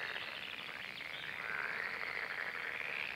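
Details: Red-necked grebe, one of a breeding pair watched in spring while mating and feeding striped chicks; a steady, harsh, pulsed chattering about four pulses a second, held for the whole stretch in a rough, buzzy band.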